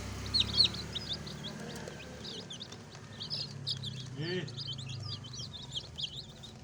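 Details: Baby chicks chirping: many thin, high peeps overlap continuously, each a short downward or wavering note, over a steady low hum and rumble in the background.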